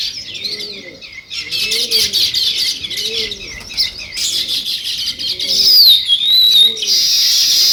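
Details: A sparrow flock chirps in a busy overlapping stream of high twittering notes that grows louder toward the end, with a few sweeping whistled notes. Soft, low cooing from a dove recurs behind it.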